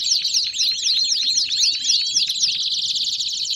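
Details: Belgian canary song opening with a series of clear downslurred whistles about three per second, then breaking into a dense, fast buzzy trill.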